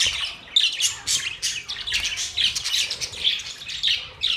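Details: Budgerigars give rhythmic, rapid chirps that rise and fall in short pulses about every half second, bright and slightly buzzy.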